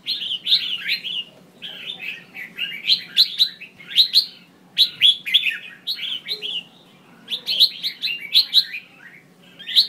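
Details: Red-whiskered bulbul, a female, giving calls meant to provoke males into singing: repeated phrases of quick, slurred, bubbly chirps with sharp clicks, several groups over ten seconds, steady faint hum in the background.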